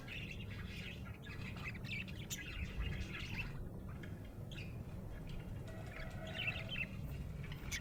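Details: Budgerigar in a happy mood keeps up soft, rambling chirps and warbled twitters for several seconds, with a few clicky notes, over a persistent low-pitched background hum.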